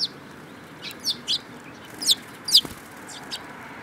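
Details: Group of sparrows filmed on 10 June 2018, uttering rapid, high, slightly descending chirps in an irregular series of about eight notes within four seconds, with a faint background hum.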